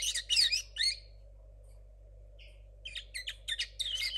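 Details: A young linnet cross hatched in 2022, its song not yet clean, delivers a twittering phrase, falls silent for over a second, then gives sharp, clipped chirps that build back into twitter. A low hum runs throughout.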